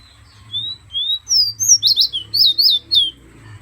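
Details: Hand-held pet fire red from Guyana opens with two plain slurred whistles, then breaks into a rapid run of sharp, high, twisting notes, about a dozen in quick succession.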